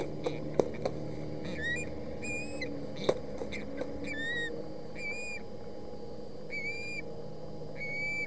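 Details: Osprey young contesting a delivered fish at a Boulder County nest, 20 August 2017. Evenly spaced whistled, upslurred chirps roughly every second, with several sharp knocks and thumps early on.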